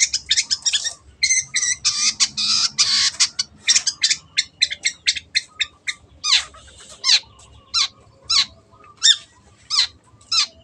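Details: Long-tailed shrike pouring out a dense run of harsh scratchy notes, then slowing to spaced sharp rising squawks about twice a second.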